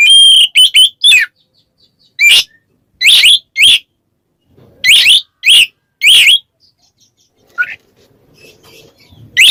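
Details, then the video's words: Kacer ngeplong calling a rival: brief whistled phrase opening into repeated harsh, buzzy upsweeping notes in pairs with silent gaps, faint rustling and a low note late on. "suara burung Kacer NGEPLONG memanggil lawan bikin Kacer lain EMOSI"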